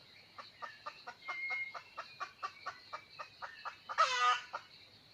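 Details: Steady series of short, evenly spaced clucks, roughly four per second, leads into one bright harmonic crow from a wild red junglefowl rooster drawn in by a hen, recorded 17 March 2020.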